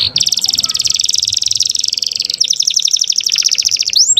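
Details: Young canary singing a rich master song to excite canaries and bring females into breeding condition; a long dense high trill, then a faster stuttering roll ending in a sweeping whistle.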